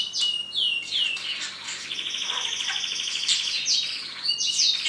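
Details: Male pet parrot in its cage, talking: loud high whistled notes that slide downward, repeated several times, with a sustained buzzy trill in the middle and more sliding whistles at the close; indoor setting.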